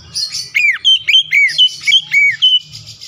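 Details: Oriental magpie-robin singing loudly, used to provoke a rival bird into full song: a quick series of rich whistled notes, many swooping down then up, about eight bright phrases in three seconds.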